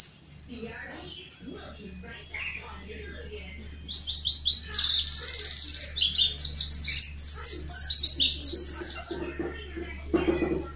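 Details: Mountain white-eye song used as a lure for other white-eyes: after a quiet start with faint voices, a burst of very high, rapid, sharp twittering notes runs for about six seconds and then fades.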